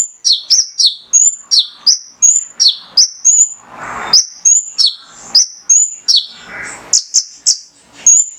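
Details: Male mangrove whistler (konin), recorded as a training and lure song to provoke other birds into singing: a rapid, uneven run of loud, sharp high whistles sliding downward, roughly three notes a second, with brief hissy noise bursts between.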